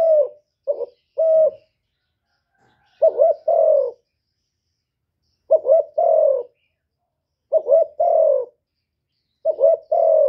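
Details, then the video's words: Caged decoy spotted dove cooing in a contest with a wild dove: short mellow phrases of three or four low coos, the last note drawn out and falling, repeated about every two seconds with silent pauses between. "Tiếng cu mồi lỡ gù đấu bổi"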